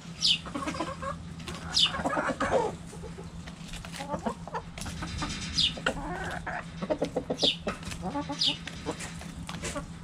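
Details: Backyard hens feeding on a cabbage, giving scattered soft clucks and murmurs, with sharp high chirps recurring every second or two and a constant low hum in the background.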